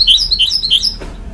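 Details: Goldfinch-canary hybrid (mule) uttering a brief series of bright, quick chirping notes that jump up and down before stopping abruptly.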